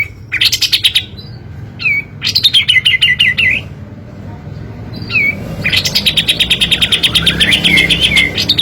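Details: Fluffy-backed tit-babbler song used as a lure to stir lazy birds into singing: rapid machine-gun trills of tight, repeated notes alternating with short slurred whistles, over a steady low background hum.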